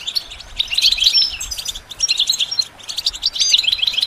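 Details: Goldfinch used as a singing model for training, giving three short bursts of sweet, jangling high twitter separated by brief pauses, with occasional thin whistles.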